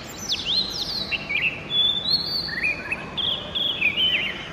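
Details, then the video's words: Oriental magpie-robin singing early in the morning, pouring out a long, varied string of clear whistles, slurs and short twittering notes, some high and thin, with only brief gaps between phrases. "Music of the Oriental Magpie Robin Copsychus saularis - sighting and call"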